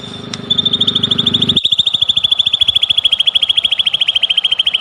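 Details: White-rumped shama lure song: after a hummy start, a long, evenly paced trill of sharp repeated notes, slowly dropping in pitch and steady to the end, played to provoke singing.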